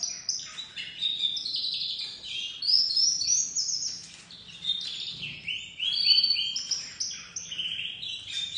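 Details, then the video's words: Young dominant white crested domestic canary beginning its song: a long, varied high warble of trills, chirps and rolling phrases with brief pauses, over quiet low background noise. "Canário doméstico branco de topete começando a cantar"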